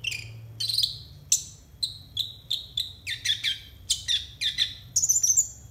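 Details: Konin song meant as a tutor for raw konin birds: a brisk run of bright, falling chirps, tightening into rapid repeats, ending in a high, scratchy trill.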